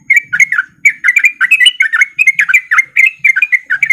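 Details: Rapid ropel song of a male Sooty-headed bulbul in breeding condition, played as a lure to get other bulbuls singing; clusters of sharp, twittering notes in quick groups with short pauses, over a quiet background.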